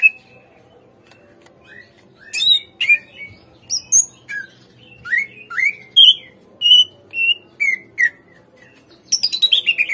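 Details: Greater green leafbird song used as a lure to get untrained captive birds to respond and sing: a burst of sharp whistled notes, then a run of clear, slurred whistles rising and falling, ending in a fast descending trill.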